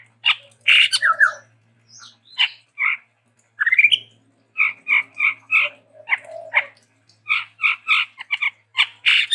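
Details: A chestnut-rumped babbler (tepus tunggir merah), stated to be a Sumatran endemic, delivers scratchy chattering phrases, rising slurred notes and repeated paired harsh notes with short gaps, over a faint low hum.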